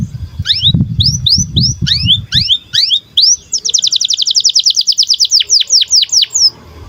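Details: Canary song of clear upward-slurred whistles, some paired, running into a long, fast, even trill and ending with a few slower rising notes; low rumbling noise underneath at the start.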